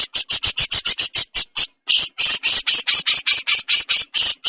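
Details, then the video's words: Javan crested jay full besetan, recorded for training with pauses: loud, rhythmic, grating rasps delivered in steady bursts, first short and clipped, then broader and harsher after a brief break. "BURUNG JENGGOT JAWA FULL BESETAN"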